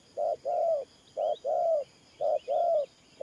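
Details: Spotted dove, a ground decoy bird for trapping, cooing in the Vietnamese 'thổ pha nước' style: paired notes, a short clipped coo then a longer drawn-out one, repeated about once a second, with faint high chirps behind.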